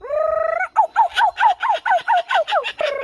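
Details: A captive Laughing Kookaburra, warmed up on its handler's hand, opens with a steady hooting note and then breaks into a rapid run of harsh, rising-and-falling chuckles, about four per second.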